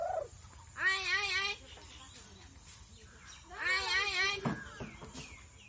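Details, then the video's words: A talking Indian hill myna speaks two short, voice-like phrases about three seconds apart, rich and nasal with wavering pitch, then gives a sharp click-like note over faint background hiss. "Amaging Talking Indian Hill Mayna Bird"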